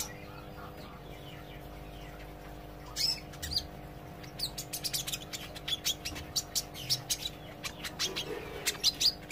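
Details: Olive-backed sunbird practising ngobra chatter while learning to sing: after a quiet start, a long quickening series of tiny high ticks and sharp chips, growing denser toward the end, over a soft background hum.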